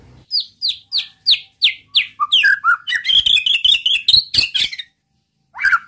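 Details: White-rumped shama song aimed at rousing other males: a series of five evenly spaced downslurred whistles, then a dense fast jumble of chattering and whistled notes, ending after a pause with one more phrase.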